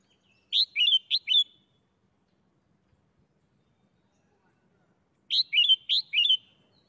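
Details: A caged red-whiskered bulbul shows off its doubled ("bern-bern") song style: two short bursts of four or five bright, warbling notes, the phrases about five seconds apart, with quiet between.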